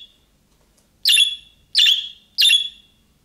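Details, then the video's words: Budgerigar contact calls in the style of young birds, aimed at prompting a pet bird to reply: a faint opening note, then three harsh, ringing chirps roughly two-thirds of a second apart, with no other sounds. "MUHABBET KUŞU SESİ Kuşunuz Bu sese Karşılık Verecek Kuş Sesi"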